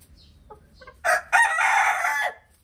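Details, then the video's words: Rooster crowing inside a chicken coop with hens at feeding time, some laying eggs and chasing the cockerel: a few soft clucks, then a loud, harsh, harmonic crow rising and held for over a second before dropping off. "chicken cock a doodle do"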